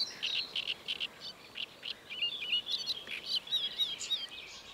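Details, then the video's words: Great reed warbler singing at Paxton Pits Nature Reserve on 28 May 2016: a run of harsh, chattering notes repeated quickly in short bursts, then a busier scratchy warble, with faint background hiss. "Great Reed Warbler"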